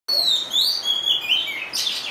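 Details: Oriental magpie-robin singing in the rain: clear whistled notes sliding up and down, a high sweet phrase followed by a brighter, buzzier burst at the end, over a steady hiss of rainfall.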